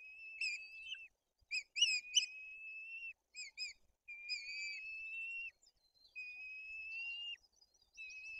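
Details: At a White-tailed eagle nest in Tuchola Forest, chicks are fed fish and the older one turns aggressive; quick clusters of sharp whistled chips, then drawn-out level high whistles lasting about a second each, separated by short silences.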